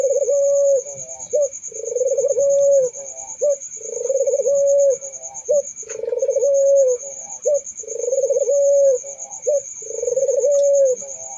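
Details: Barbary dove giving steady, regular coos, each a short low note followed by a longer rolling, purring coo, roughly every two seconds, over a constant thin high-pitched whine.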